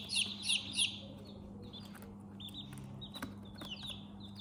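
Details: Young chickens indoors: three loud, sharp, descending peeps open the clip, then softer, scattered chirps continue over a steady low hum.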